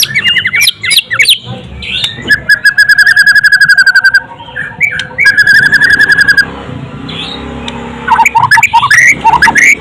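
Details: Murai batu pouring out rapid clicking rattles, then two long sweet whistled trills of evenly repeated notes, ending in a burst of fast jumbled chirps.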